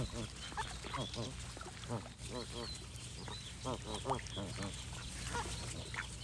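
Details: Repeated harmonic goose honks come in clusters, several birds overlapping, with a short lull around the two-second mark and steady low hum behind.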